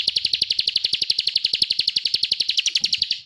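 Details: Ciblek, the bar-winged prinia, singing gacor in the continuous 'ngebren' style used as masteran: an unbroken, high, rapid rattling trill of sharp repeated notes, steady and loud throughout, fading slightly at the end.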